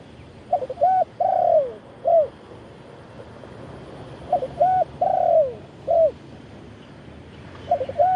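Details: Spotted dove cooing khan yon style, recorded live during decoy calling of wild doves from a branch: two full four-note phrases with a long downward-sliding third coo, plus the start of another phrase.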